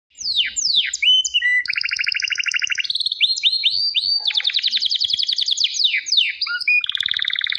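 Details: Canary singing in a long continuous phrase: steep descending whistled sweeps, then fast rattling trills at mid and high pitch, alternating between buzzy rolls and clear repeated notes without pause.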